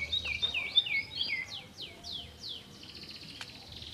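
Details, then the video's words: Canary singing: a few bright chirps followed by a run of downward-sliding whistled notes, fairly soft, fading into quiet room noise near the end. "canário cantando"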